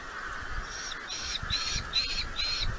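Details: Red-footed falcon at a nest in Polgár, Hungary, the bird ringed 962 with its family, giving harsh, scratchy squawks in quick bursts, about five in three seconds, over a steady high background hiss.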